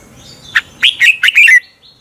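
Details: Bright morning competition singing of a red-whiskered bulbul, used to spur other birds: one loud chirp, then a rapid burst of four clear, rolling whistled notes trailing off downward.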